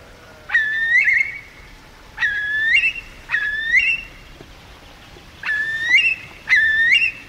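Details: Eurasian curlews circle overhead, calling in loud, clear whistles that start with a sharp onset and then rise, delivered in separate bursts about a second long with quiet gaps between.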